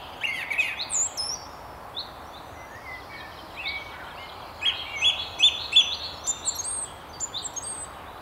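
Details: Song thrush perched at a treetop along the River Tyne near Haddington, delivering varied high whistled and chirping notes in short bursts, some phrases repeated, against steady faint outdoor noise.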